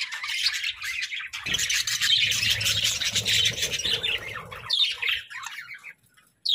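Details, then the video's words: Several pet budgerigars chirping and warbling together, a dense, continuous high twittering chatter with scratchy squawks, fading out near the end, with a low rumbling hum underneath. "Joyful Parakeets🐦🦜: Daily Chirping, Songs, and Fun!"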